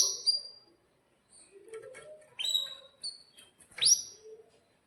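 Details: Caged canary in breeding condition, kept to teach young canaries their song; a run of bright, sharply rising chirps and short high notes, with quiet lower twittering between them.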